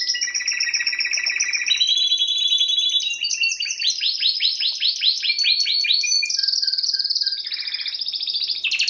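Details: Timbrado canary song in rolling tours: a steady buzzy trill, then a fast run of rising chirps, and finally a low whistled note and bright high phrases.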